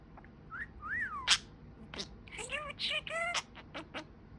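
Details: Talking pet budgerigar giving a short run of whistles, first a smooth rising and falling tone, then a sharp click and several quick bent whistles in close succession.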